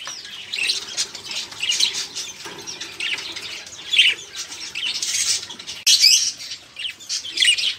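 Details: Crowded, noisy budgerigar chatter used to get caged birds singing or to teach songbirds new material: scratchy warbles and squawks rising and falling in waves, with sharp peaks about every second.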